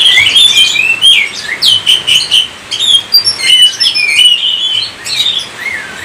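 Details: Indonesian captive Oriental magpie-robin singing lively phrases of looping whistles, short chirps and scratchy trills, the bursts pulsing roughly every half second, ending in a falling whistled slur; low hum in background.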